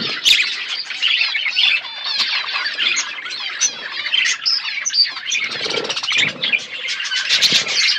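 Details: Several budgies at seed in an outdoor aviary: continuous, rapid twittering and squeaky warbled calls from many birds, with scratchy squawks mixed in throughout.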